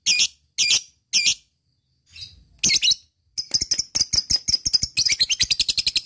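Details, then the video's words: Lovebird call used as a lure for ngekek singing: three harsh chirp bursts, a pause, then quick high ticks speeding into a long, rapid, rattling chatter. "Lovebird banyak yang nyaut bunyi setelah mendengarkan suara pancingan lb memanggil ngetik ngekek"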